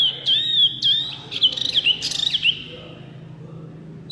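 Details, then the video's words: A small wambi white-eye sings loudly: a wavering, high whistled phrase that dips and rises several times, broken by quick chirps, fading after about two and a half seconds to faint background hum. "wambi mini gacor full suara kencang"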